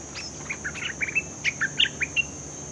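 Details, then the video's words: Newly caught bulbul being trained. It gives a quick series of short chirped notes, about four a second, over a faint steady high tone and light background hiss. "Suara pikat merbah lekir"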